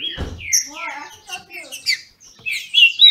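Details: Brazilian thrush (trinca-ferro) from a Brazilian breeder, in a singing dispute: a low thump at the start, then scattered short whistled notes and chirps, ending in a bright rising whistle.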